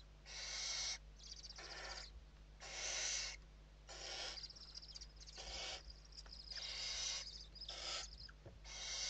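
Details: Inside a Western barn owl nest in Spain at evening feeding time, 29 November 2023, owls produce a steady series of breathy, rasping hisses, each under a second, some overlapping, with brief quieter pauses between.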